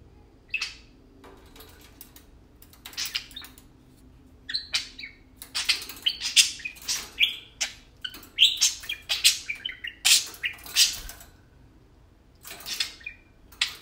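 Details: Playful tame parakeets give a long, lively warble of scratchy chirps, clicks and brief whistles. It starts sparse, grows dense and busy in the middle, then thins out again.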